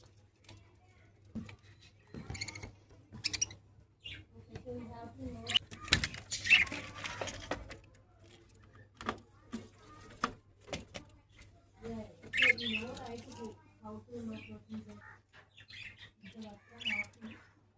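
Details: Budgerigars, kept with an egg, chatter in scratchy, warbling bursts and clicks over a steady low electrical hum.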